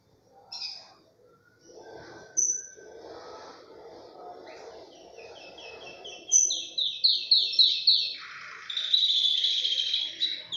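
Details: Tricolor Belgian canary in full song. Soft low murmuring notes come first. From about six seconds, a fast run of high rising whistled notes builds into a loud, continuous rolling trill.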